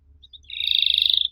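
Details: Canary voice used as a lure so young canaries answer: two faint short notes, then a steady fast buzzy trill lasting about a second.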